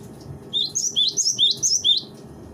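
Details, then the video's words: Cinereous tit master recording for training songbirds: a quick series of high, slurred whistled notes rising and falling, over a low background hum. "suara masteran burung gelatik batu"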